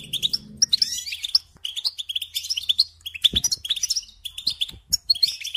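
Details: European goldfinch in care singing lively chirps and tinkling trills in rapid bursts, a soft low hum at the start.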